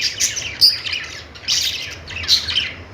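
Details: Budgerigars chirping: bursts of high, scratchy warbled chatter at about 0.2, 1.5 and 2.3 seconds, with quieter gaps between and a faint low hum underneath.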